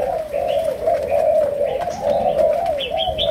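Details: Malaysian-strain spotted dove giving the 'chiêu gù, sấm đồng' cooing style: a continuous low, wavering coo with rising and falling swells, and faint higher chirps from other birds near the end.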